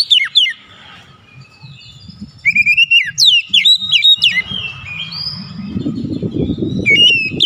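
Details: Lure song of an oriental magpie-robin meant to rouse a lazy singer: a run of varied bright whistles, swoops and short slurred notes, louder mid-way, over a rumbling background that swells near the end.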